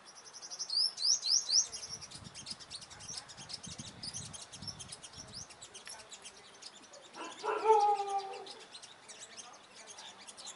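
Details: Olive-backed sunbird confronting rival dominant males near a trap: a burst of quick high rising chirps early on, then scattered thin twitters throughout, with a short low voice-like sound near the end.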